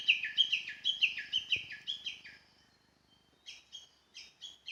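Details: Japanese bush warbler calling in the mountains, recorded on a smartphone while walking, bird not seen; a quick run of about nine descending chirped notes, a short pause, then the series resumes.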